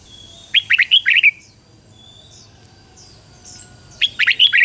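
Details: Red-whiskered bulbul kept as a lure for wild birds, giving a fast run of warbling whistled notes, then a quiet stretch with faint high calls from other birds, and a second phrase starting at the end.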